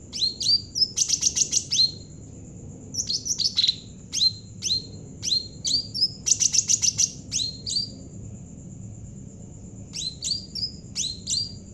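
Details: A lively Javan cucak ranting bulbul, recorded as a lure for training other birds, delivers fast rattling chirp volleys alternating with repeated sharp falling whistled notes, roughly three notes a second, against a constant thin high-pitched tone.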